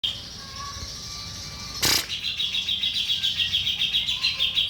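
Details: Grey-cheeked bulbul, a master and lure recording for training birds: after a soft high hum and a sharp burst, a fast run of high, even chattering notes repeats about three times a second without a break.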